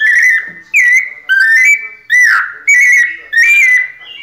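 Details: Clear, ringing pianado phrases from a White-necked thrush: six whistled notes at a similar pitch, each bending slightly up or down, spaced about half a second apart.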